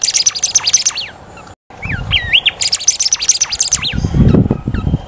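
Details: Golden whistler (Pachycephala pectoralis), a kept songbird, sings a busy run of high, bright chirps mixed with slurred whistles.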